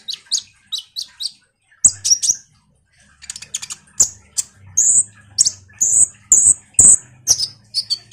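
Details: Common iora in vigorous chattering song used as a lure for sunbirds: spaced pairs of high chirps, then a long fast run of loud whistled chips, with a low hum in the background.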